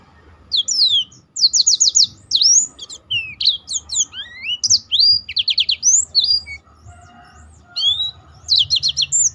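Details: Black-throated canary in full song, used to train other birds in more varied song: repeated rapid trill clusters, sliding whistles and quick chips in steady bursts, with faint low noise underneath.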